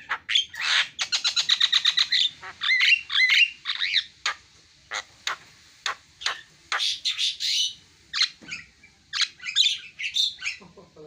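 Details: Javan myna chattering with a fast rattling trill, rising whistled notes, then scattered sharp clicks and rasping phrases with pauses between.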